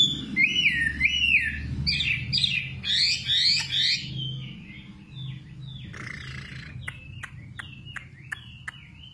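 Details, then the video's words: A nightingale sings loud, fast, looping warbled phrases, then after a pause delivers a string of sharp, evenly spaced descending notes, about two per second, with a faint low hum underneath. "Singing nightingale. amazing bird song"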